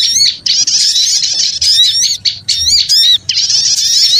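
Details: Small-bird lure recording with bursts of harsh, high chattering and whistled slurs, several birds overlapping, separated by three brief pauses.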